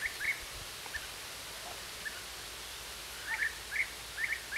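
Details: European bee-eaters in Hungary, June 2012: short, rolling, fairly high chirping calls, a few scattered early then a quick run of about six in the last second and a half, distant over steady outdoor hiss.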